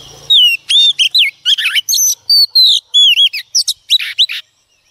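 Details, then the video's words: Wild-caught female Oriental magpie-robin singing to stimulate males: a varied run of clear, high whistled notes, slurred and down-sweeping, mixed with quick chattering figures, about fifteen phrases in five seconds, then quiet. "choè than mái bổi lên kích trống quá hay phần 2 | Kích Choè Than Hót"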